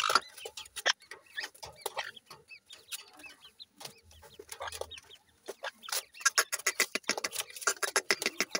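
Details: Captive black francolin chicks scrapping in a house; quick repeated high peeps and chirps with scuffling clicks, a quieter stretch midway, then a busy burst of calls.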